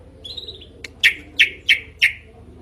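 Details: Drongo with a loud, varied voice: a thin wavering whistle, then four sharp descending chirps at a steady, even pace, over a faint hum.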